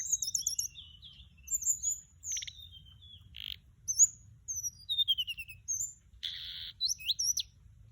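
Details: Mugimaki Flycatcher decoy song: quick runs of high stacked chirps, sweeping whistles and several short dry buzzes, delivered in irregular bursts over about eight seconds.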